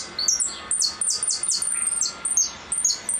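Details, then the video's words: Goldfinch singing in the repique style: rapid series of very high, sharply descending whistled notes delivered in quick bursts, with short pauses between phrases, in a quiet setting. "Blanco de repique"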